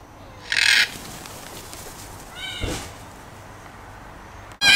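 A red-tailed black cockatoo gives a short, harsh, rolling screech, preceded by a brief rasping burst and ending in a loud clatter of noise.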